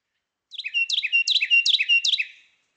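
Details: Carolina wren song, often rendered 'Germany, Germany' or 'tea-kettle': four quick, loud rolling phrases in a row, each a sharp downslurred note into a lower warble. No other sounds.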